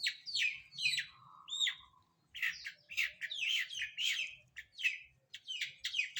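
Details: Long-tailed shrike during a morning bath, pouring out a varied, rapid song of falling sweeps, a short low warbled tone and a whistled note, becoming a dense chattering run.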